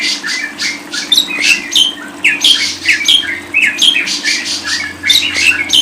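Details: Shrill lovebird chatter: rapid harsh chirps and squeaky upslurred notes in uneven bursts that continue without a break, over a quiet background hum.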